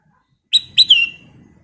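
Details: A lively sooty-headed bulbul (kutilang emas) phrase: two short whistled notes, then a slurred note sliding gently downward, all within half a second. Otherwise the background is quiet.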